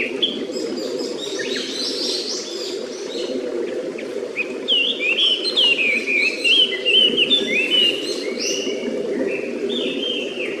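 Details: Near its watched nest in a quiet woodland by a clear stream, a Japanese paradise flycatcher gives a run of quick, high, downward-sliding whistled notes, overlapping other high chirps, over a constant murmur of running water.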